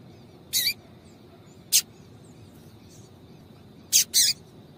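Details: Calls of a female Double-collared seedeater, meant to get males singing. Four sharp, rasping high chips, two of them paired close together near the end, with a low constant hum behind.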